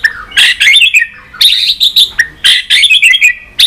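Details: White-rumped shama in varied, many-voiced song meant to stimulate and train other birds: loud bursts of tumbling, chattering whistles repeated in three energetic phrases with brief pauses between.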